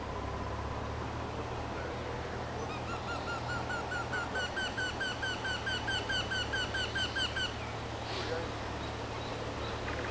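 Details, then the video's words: A Eurasian wryneck sings a run of about fifteen nasal, ringing "quee-quee" notes at an even pace over a steady low rumble. "Вертешейка поет"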